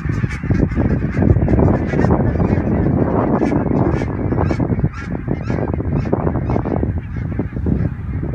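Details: Thousands of greylag geese in flocks that darken the sky, flying over the Elbe dike toward the river at Fährmannssand, Wedel, near Hamburg, on 12 April 2020, recorded by phone: a dense, continuous chorus of overlapping nasal honks over a low rumble.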